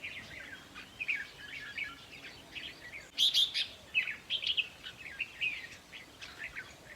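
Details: Red-whiskered bulbul song played at a trapping site to excite caged birds: busy bursts of sharp chirps and short warbled notes, several phrases per second, with a louder run midway and faint background hiss.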